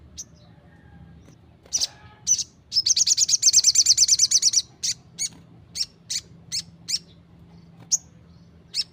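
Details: Crimson Sunbird singing loudly 'gacor' style, with a long, rapid, high-pitched trill followed by a steady string of sharp single chips.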